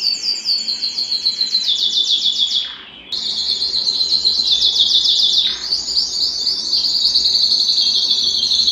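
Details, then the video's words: Canary singing in an excited state, wanting to mate: dense fast trills of high repeated notes, broken by a brief pause, then resuming in long rapid rolling phrases. "تغريد كناري هائج"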